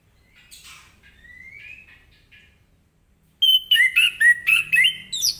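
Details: Orange-headed thrush in full morning song, ngeplong style, to draw replies from other birds: faint distant whistles first, then a loud, rapid series of sharp whistled notes, about four a second, varying in pitch.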